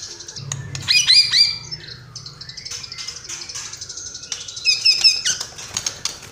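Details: Quieter passage from a white-rumped shama showing off imitated phrases: high trilled whistles and rising notes in two bursts, with a faint low hum underneath.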